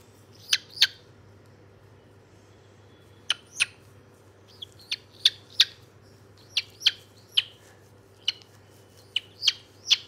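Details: White-bellied caique giving short, sharp clicking chirps and squeaks, often paired, in irregular runs over a faint low hum.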